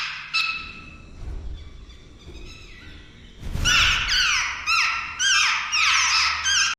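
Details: Jungle babbler fledglings near leaving the nest; faint thin notes, then from midway a run of loud harsh descending squawks repeated rapidly, roughly twice per second, with a low thump before.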